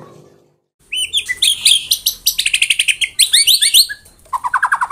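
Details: After a brief silence, a white-rumped shama launches into tembakan rapat, its dense rapid-fire song, as a volley of very high staccato notes in quick pulsing bursts, ending with a lower rattling run.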